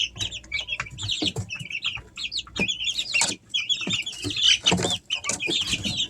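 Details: A brood of three-week-old Easter Egger chicks peeping nonstop, high thin chirps overlapping in quick bursts, with soft scratching and rustling underneath.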